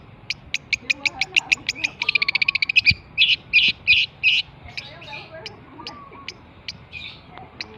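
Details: Long-tailed shrike from Java delivering a rapid series of sharp clicking notes that accelerate into a dense chatter, followed by grating bursts and spaced chips, with soft lower whistles and faint background knocks.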